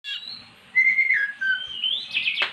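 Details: Magpie-robin, normally silent, singing after being prompted with recorded magpie-robin song; clear high whistles, a long level note then lower slurred tones and a rising buzzy finish.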